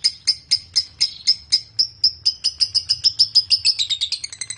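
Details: A lovebird's sharp high chips, part of a recording meant to draw other lovebirds into ngekek, start slow and spaced, then speed up into a quicker run that slides into a twittering chatter.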